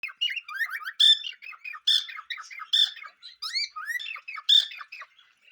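Cockatiels chirp in quick, squawky bursts, with harsh screeches mixed among sweeter rising whistles.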